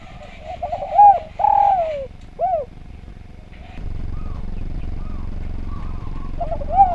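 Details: Spotted dove song from a training recording: a stuttered start, an arched coo, a long falling coo and a short rounded coo. Quieter coos follow over a low background rumble, and one more coo comes at the end.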